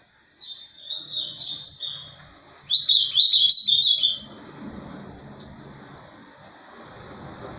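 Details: Ultramarine grosbeak, mineiro pena branca song style: sweet warbled notes build into a fast, tumbling phrase, then give way to steady background hiss.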